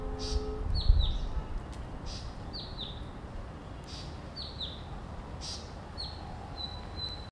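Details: Song of the blue-capped rock thrush: a series of sweet, falling whistles, often doubled, repeated through the clip and ending in flatter notes. A faint hum opens the clip, and soft hissing bursts and low background rumble are present.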